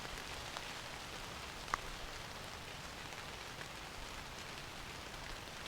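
Steady rain pattering on a surface throughout, with one sharp drip-like tick and no animal voices.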